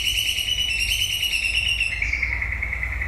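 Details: A white-rumped shama at the close of the breeding season holds a rapid, buzzy trill for about two seconds, then drops into a lower, smoother warble. Steady low hum behind.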